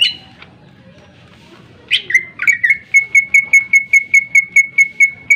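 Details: Greater green leafbird song meant to stir other birds to sing: a few harsh rasping notes, then a steady rapid series of identical sharp chips, about three per second, clear and high.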